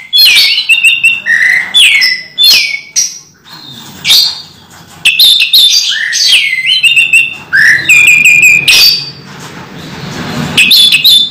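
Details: Caged orange-headed thrush in moult, still singing vigorously: loud, rich whistled phrases with sliding and buzzy notes, delivered in rapid varied bursts with brief pauses, recorded close up.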